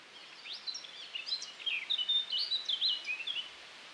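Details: A male Eurasian blackcap sings on a very windy June day, 2019, in Wiltshire, UK: a rich, hurried warble of clear fluting notes and quick twitters, rising in pitch and intensity over three seconds, with soft wind noise behind.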